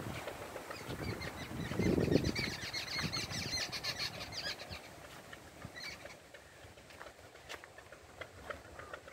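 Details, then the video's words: Jungle babblers give harsh, rapid chattering calls in a busy stream, with a low rumble of traffic or wind early on. "Jungle Babbler (Turdoides striata) Calling||Common Babbler/Old World Babbler Sound"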